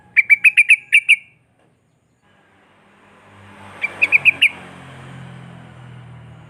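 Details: Sooty-headed bulbul in rapid repeated song, played to set other bulbuls singing: a quick run of about six bright whistled notes, a pause, then a shorter run of four as engine rumble builds underneath.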